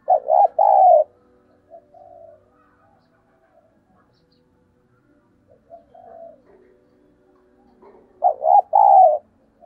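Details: Spotted dove calling as a lure for other doves: two loud coo phrases of stuttered hoots ending in a long note, separated by softer, quieter cooing notes, in a clean recording.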